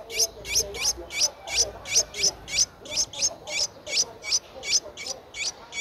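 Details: Ten-day-old nestling Streak-eared Bulbul, Ubon Ratchathani, Thailand, 12 April 2023. It gives a fast, steady train of thin, very high squeaks, nearly three per second, loud and evenly spaced.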